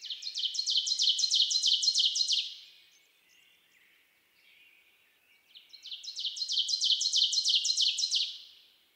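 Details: Ovenbird singing at Road 2182, Nicolet National Forest, Wisconsin: a loud, rapidly repeated series of emphatic two-part notes, about three per second, rising in volume; two phrases of roughly two and a half seconds each, with quiet between.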